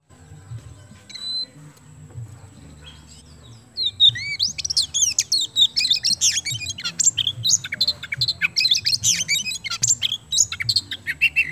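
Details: Oriental magpie-robin of the kemben type singing at full vigour, used as a lure to get other birds singing; near-silence for about four seconds, then a dense, fast stream of high whistles, chirps and rapid trills without pause to the end.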